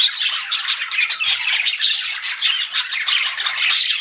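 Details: Continuous twittering from a group of pet budgies, described as flirting: bright, scratchy chirps and squeaky warbles tumble over one another in quick succession without pause.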